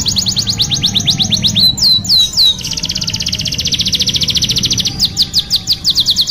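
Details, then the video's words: Canary singing as a training lure: fast high rattling trills of repeated rising notes, broken by a few slower slurred whistles, then a long rapid trill, with a low hum underneath. "TERAPI PANCINGAN KENARI GACOR PANJANG | CANARY SINGING"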